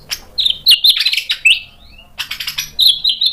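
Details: White-rumped shama, stirred into song, pours out fast chattering warbles and sharp whistled notes in two dense bursts separated by a brief pause.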